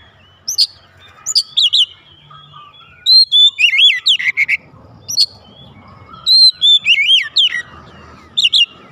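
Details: Caged oriental magpie-robin answering with loud song for nearly nine seconds: repeated groups of bright, slurred whistles and sharp upper notes, about four bursts a second within phrases, with low rumbling noise behind.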